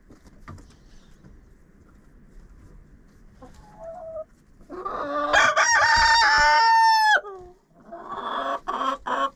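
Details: Rooster in a friend's chicken coop, recorded with a camera inside: quiet rustling, a few soft clucks, then a loud, drawn-out crow lasting nearly two seconds, ending abruptly, followed by a short burst of harsh clucking.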